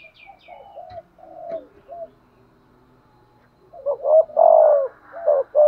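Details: Decoy spotted dove cooing in the urging style: a few soft hollow coos, a pause, then a loud burst of rolling, falling coo notes at the end, with a faint high chirp at the start.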